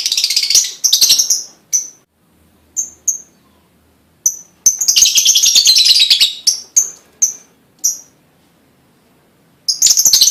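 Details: Lovebird singing to provoke other lovebirds into song: short shrill chattering bursts and isolated piercing high chips, with quiet gaps, then a longer dense twittering run and a final burst.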